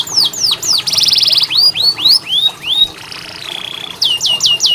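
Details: Canary training song for silent birds: descending whistled slurs, a buzzy high rattle, a series of rising-then-falling arched notes, a sustained flat whistle, and closing downward sweeps, loud and clear.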